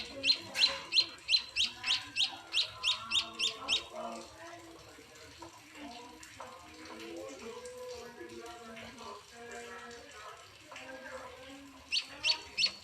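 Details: Munia (emprit) chicks being fed, a bird that came to a house: a fast run of short high chirps about four per second, then quieter mixed sounds with low murmuring, and more chirps at the end.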